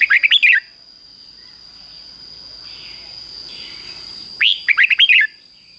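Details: Red-whiskered bulbul singing the clear doubled phrase played daily to young birds as a copying lesson: a burst of rapid warbled notes at the start and another about four seconds later, over a constant high whine.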